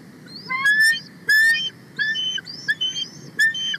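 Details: Female bald eagle on her nest on 31 March 2024, excited and calling loudly as a sub-adult eagle flies close after her mate brought a whole fish: sharp, high, piping chirps in irregular bursts with short trilled notes, some overlapping.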